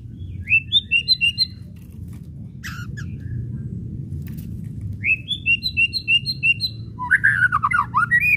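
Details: White-rumped shama whistles and chattering (kretekan), played as a lure to provoke shamas to sing: two runs of short rising whistled notes at 0.5 and 5 seconds, a faint mid-clip burst, then a harsh descending chatter, over steady low rumble.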